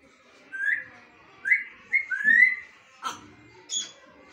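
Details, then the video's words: Bonded pair of African grey parrots: four clear rising whistled notes, the last one longer and sliding upward, followed by two short harsher squawk-like bursts, in a quiet indoor setting. "Talking Parrot"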